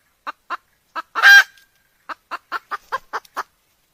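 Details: Decoy junglefowl hen calling, used by trappers to lure wild roosters in Vietnam: a run of short, evenly spaced clucks, broken early by one longer, harsh, louder squawk, then about seven more quick clucks.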